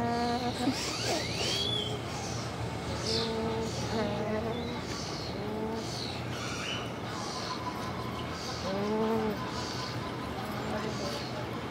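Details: Nēnē (Hawaiian Goose) in Hawaiʻi giving a series of short, low, nasal honks with rich harmonics, spaced irregularly over about ten seconds, against constant rushing background noise and a few faint higher chirps.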